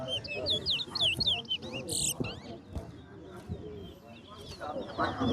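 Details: Towa towa, the chestnut-bellied seed finch, singing during a contest while a man counts aloud: a fast string of high, sweeping, warbled notes, then softer twitters under the voices.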